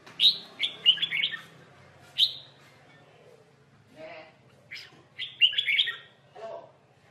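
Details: Red-whiskered bulbul in a duelling, fighting context: scattered short whistled phrases with pauses, a faint low hum in the background and a few softer distant notes.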